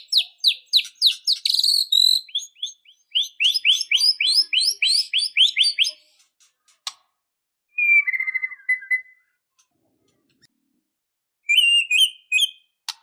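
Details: White-rumped shama, described as fighting and emotional, pouring out a long rapid series of high slurred chirps and rising sweeps, then a level whistled phrase, a pause, and a brief varied burst near the end.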